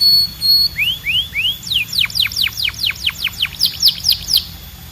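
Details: Canary song beginning with three rising whistled slurs, then a run of loud descending notes about three per second, ending in a faster high trill.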